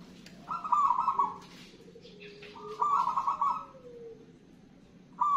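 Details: Local wild-type zebra dove singing: two warbled, fluttering coo phrases a couple of seconds apart, with the start of a third at the end. A faint lower whistle slides between them over background hiss.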